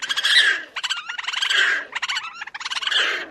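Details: Black Crake, a small blackish water bird of reedbeds and emergent vegetation, giving its odd wheezy bubbling and chattering call: dense harsh churring bursts with whistled notes woven in, broken by short pauses roughly every second.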